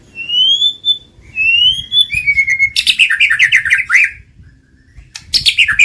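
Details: White-rumped shama song used to trigger singing and mating: long rising whistles near the start, then rapid varied chattering phrases and bursts of harsh notes, with brief pauses.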